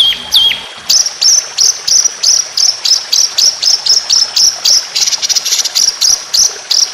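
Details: Competition white-rumped shama opening with one swooping whistle, then a fast, piercing, regularly repeated note series near three and a half per second, 'tembakan panjang roll speed' style.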